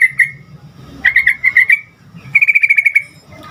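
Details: Sooty-headed bulbul, singing so that other bulbuls respond: a couple of single notes, then a bouncy series of about six notes, a short pause, and a fast even trill of around eight notes.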